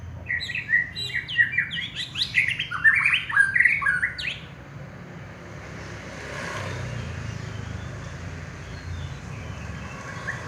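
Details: White-rumped shama, a champion contest bird, pours out a dense, fast jumble of varied whistles and chirps for about four seconds, then falls silent while low rumbling noise continues.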